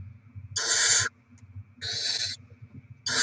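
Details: Barn owls at the nest during rodent deliveries for the young, 07/02/2024: two long rasping screeches, with a third starting at the end, evenly spaced over low hum.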